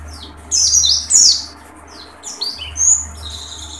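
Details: Dakun-type pleci in tembakan song: two loud, shrill, buzzy notes near the start, then a few thinner high whistles, over a steady low hum.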